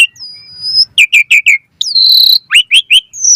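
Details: Asian pied starling song with varied fill, used as a training recording to make caged birds sing: long thin whistles, rapid downslurred chips, a sustained buzzy whistled note, then more sharp chips.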